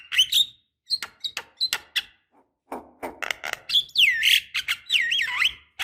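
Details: Javan myna, the female calling males, used to lure young birds: a jumble of sharp chips and harsh notes ending in loud, wavering, looping whistles.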